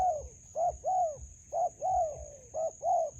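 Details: Wild spotted dove in a melaleuca garden, lured with a decoy for trapping. It gives loud, clear coos in pairs, a short note then a long downslurred one, three pairs evenly spaced, with a thin high whine throughout.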